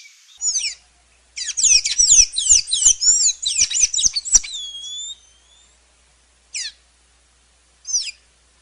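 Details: ['High, squeaky twittering from a Sayaca tanager: a dense burst of sliding, chirpy notes lasting about four seconds, followed by a few separate single squeaks after pauses.']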